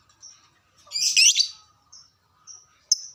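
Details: Lovebird in breeding mood, recorded as a lure for caged birds: one long grating, buzzy chatter of about half a second, followed by scattered thin high whistles and a sharp closing click-like chirp.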